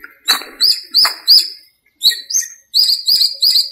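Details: Dawn birdsong in a small park in breeding season, during the rainy season: loud, ringing upswept whistles in groups of three, with brief silences between the bursts and a few softer, higher chips above.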